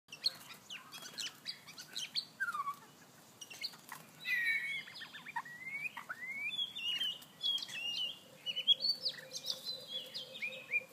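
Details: White-rumped shama singing during mating, a male chasing a female: varied rich whistled phrases, slurred rising and falling notes, interspersed sharp clicks, with a steady low hum in the background.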